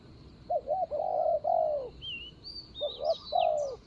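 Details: Spotted dove acting as a ground decoy for a rival, 24 January 2565 (Thai calendar). Two coo phrases sound, each quick double notes followed by a long descending coo, while other birds give looping high whistles.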